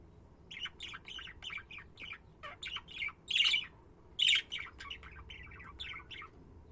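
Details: Budgerigars chattering in a rapid run of short, scratchy chirps and warbles, with a few louder squawky notes near the middle, over a steady low background hum.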